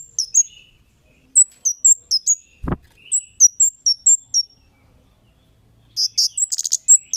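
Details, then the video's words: Lure recording of a Kemade calling to make other birds answer. Thin, high descending chirps come in fast strings of four to five, with a single sharp click in the middle and a denser cluster of chirps near the end. "Suara Burung Cit Kemade GACOR--Pancingan Cit Keres Bahan Pasti NYAUT GACOR"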